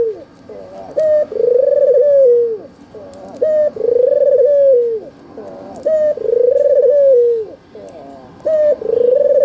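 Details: Red-eyed albino white Barbary dove calling as a lure for reluctant doves: repeated cycles of a brief high note followed by a long trilled coo falling away, about four phrases, faint clicks in background.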